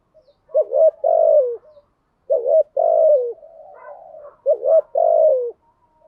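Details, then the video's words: Lure cooing of a spotted dove, in thúc gù and gáy gọi styles, played to excite decoy birds. Three phrases are heard. Each has a quick double note, then a long, steady, mellow coo that falls at the end. "Tiếng chim cu gáy mồi giọng lôi cuốn hấp dẫn đủ bài[ THÚC GÙ , GÁY GỌI ] dùng kich bổi nhanh nổi"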